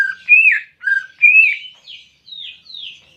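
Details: Greater green leafbird song for encouraging a caged bird that is reluctant to sing: alternating low flat whistles and higher rising-falling whistled notes, ending in two thin downslurred notes.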